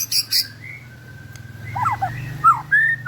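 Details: White-rumped shama 'balak 8' song, used as a lure for shamas that have stopped singing: a few short, clear whistled and slurred notes over a steady low hum, with two brief high chips at the start.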